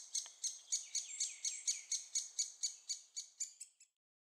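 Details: Young great spotted woodpeckers being fed at Staverden in the Netherlands: a fast, even series of about fifteen sharp, high chittering notes, roughly four per second, fading out at the end, with no other noise.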